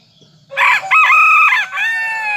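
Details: Serama chicken rooster crowing in the morning after leaving its cage, perched on a hand. It gives one loud, ringing crow in several harmonic-rich segments lasting nearly two seconds, with a sustained drawn-out final part and no other noise.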